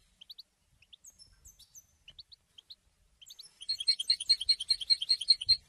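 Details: European goldfinch: soft scattered chirps leading into a steady, ringing trill of evenly spaced bright notes, with faint low background rumble.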